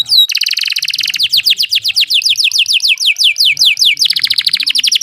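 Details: Canary singing a rolling song (ngeroll) for training other birds: a long run of fast, sharply down-slurred notes repeated several times a second, ending in a dense buzzy trill.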